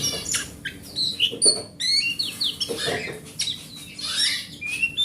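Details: Large grade A oriental magpie-robin singing forest-style song meant to prompt a non-singing magpie-robin; varied sweet whistles, high thin pure notes and quick rising slurs, with short scratchy notes between, over a quiet low background hum.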